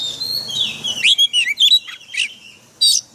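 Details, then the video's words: Forest-style white-rumped shama song for training caged birds: a quick string of clear, slurred whistled notes over about a second, then a pause and one final sharp high note; faint low background rumble at the start. "Luyện chòe than hót giọng rừng mỗi ngày"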